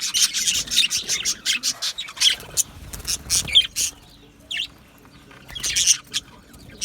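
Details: Budgerigar colony chirping in an aviary on 12 July 2025: bursts of sharp, high chirps and short squawks come in clusters, then fade into quieter gaps before another flurry near the end.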